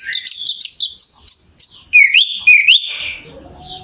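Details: Orange-headed thrush singing, played as a lure to stir a bird into song: rapid run of short high chirps, then slurred whistles bending up and down, ending in a buzzy high note.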